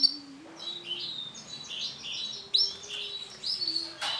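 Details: Orange Sunkist male canary in full song: rapid rolling trills and twittering notes that rise and fall without pause, including a sudden loud chirp midway, over a faint low steady tone.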